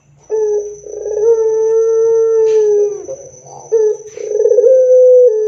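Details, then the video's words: Barbary dove singing loudly and persistently, a recording meant to prompt other doves to answer. Deep, drawn-out coos, each opening with a rough rolling burst and then holding a steady low tone, separated by short pauses. "PANCINGAN SUARA PUTER GACOR DAN KERAS AMPUH UNTUK BIKIN PUTER NYAUT BUNYI"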